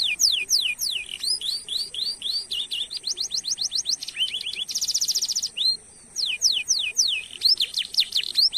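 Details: Long-rolling canary song meant to stimulate other canaries to sing: quick cascades of falling whistles and rising chirps, a harsh buzzy trill in the middle, then more sweeping downslurred notes after a brief pause.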